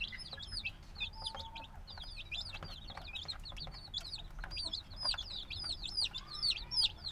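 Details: Recently hatched black chicks make a busy chorus of high, bent peeps, very fast and irregular, growing slightly louder toward the end, over steady low hum and soft rustles.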